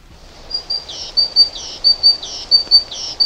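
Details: Continental great tit repeating a bright two-note phrase, a high thin note then a lower one, about three phrases a second, with faint background hiss.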